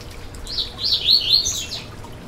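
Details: Yellow-bellied seedeater (coleiro baiano) singing, played to get a caged bird singing: one continuous high, warbling run of slurred whistled notes lasting about a second and a half, rising slightly toward the end, over faint background hiss.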